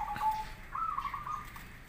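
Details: Local or crossbred zebra dove giving a lure song so other doves answer: a brief low coo, then a rippling trilled phrase of about a second at steady pitch, against light background hiss.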